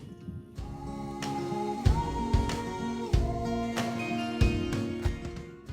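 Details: Soft, tender music with sustained melodic tones and a steady low accompaniment, possibly with singing; no animal sounds are heard.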